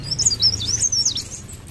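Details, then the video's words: Cikrak daun or blerengan, a leaf warbler, sings a short, rapid phrase of thin, high, wavering whistled notes lasting about a second, trailing off, over faint low hum. "ocehan burung blerengan atau cikrak daun gacor ngerol"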